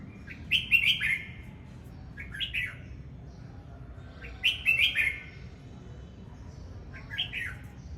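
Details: Repeated cheerful whistled phrases of a red-whiskered bulbul singing while displaying, a longer warble then a short answering note, cycling roughly every four seconds against a low steady hum.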